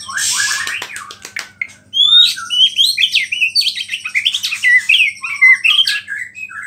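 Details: White-rumped shama pouring out a vigorous mimicking song of small-bird phrases that provokes rival shamas: a harsh rasp, then a dense stream of varied chirps, trills and whistled slurs for nearly five seconds, faint hum underneath.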